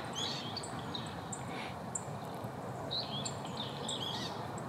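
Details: Male Siberian rubythroat (red lower chin) song: scattered high, thin whistles and short twittering phrases over a steady hiss of outdoor background noise.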